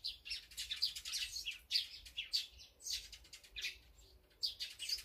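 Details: Feeding birds named as azure-winged magpie, sparrow, great tit and brown-eared bulbul: loud, overlapping high chirps and harsh squeaky notes tumbling almost without a break.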